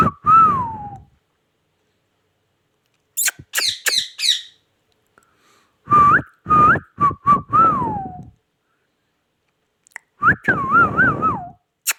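A parakeet gives clear whistled notes that rise and fall, in short phrases a few seconds apart, with a burst of harsh, rasping squawks between them.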